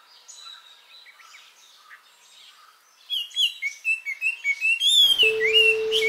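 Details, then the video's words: Mid-July summer recording of a Japanese white-eye: faint distant bird twitters at first, then the white-eye bursts close by into loud, rapid, high warbled chirps in complex phrases, ending under a steady beep tone. "メジロの鳴き声 夏のさえずり"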